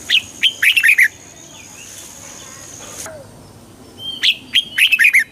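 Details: Red-whiskered bulbul song for exciting birds; a burst of rapid, bright warbled notes, a quiet gap of about three seconds, then another cheerful, bubbling phrase.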